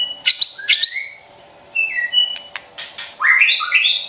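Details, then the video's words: White-rumped shama, a champion bird's trotol singing for stirring up pet shamas: two high chirpy bursts, a soft two-note whistle, then a bright, rapid cascade of rising and falling whistled notes. "Trotol Murai Juara & Pancingan Ampuh Bikin Cepat Emosi & Tambah Gacor #SHAMA #SINGING"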